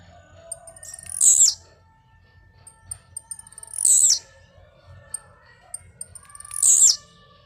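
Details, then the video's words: Blue-black grassquit singing while leaping, giving three short, harsh, buzzy high notes spaced roughly two and a half seconds apart, with soft ticking and faint lower tones between them. "tiziu cantando de pulo"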